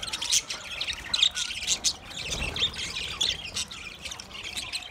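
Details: Quieter budgie chatter, with soft scratchy twittering and thin high chirps running steadily throughout and a few louder squawks mixed in.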